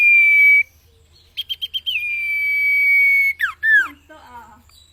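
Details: Common iora song on a cage-bird training recording: a long steady whistle, quick stuttering notes, another drawn-out whistle, then sharp downward-slurred notes and softer chatter.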